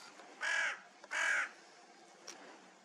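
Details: A crow in a snowy winter forest in the early morning of 17 January gives two harsh, hoarse caws about three-quarters of a second apart, with a faint short note after a pause and a quiet, hissy background.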